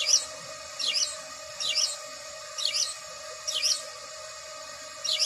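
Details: House sparrow chirping: sharp, bright chirps repeated roughly every second at an uneven pace, over a steady low mechanical hum.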